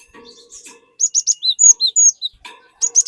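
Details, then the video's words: Cinereous tit used as a lure for another tit's singing: a quick run of about a dozen high, clipped whistles, some slurring downward, over a faint lower background murmur. "Burung Glatik Gacor Memancing Glatik Bahan Agar Ikutan Gacor Ngeplong"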